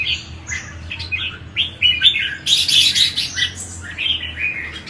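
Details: Red-whiskered bulbul singing, used to trigger other bulbuls into song: lively, warbled whistles and chirpy phrases, loudest in the middle, over a faint indoor hum.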